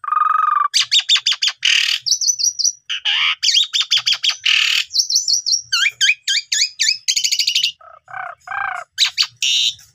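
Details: Asian pied starling song played as a lure to make young starlings sing and show their mimicked phrases: a low buzzy opening note, then fast chattering notes, high steady whistles, rising trills and sharp downslurred notes in a dense, varied stream.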